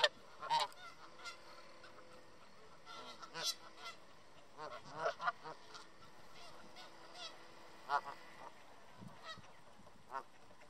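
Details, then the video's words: Canada geese eating bird seed on a park bench, guarding it from nearby birds with loud honking; here more distant, scattered nasal honks and grunts spread through the recording over steady background hiss. "Two Hungry And Loud Canada Geese Eating at a Park Bench"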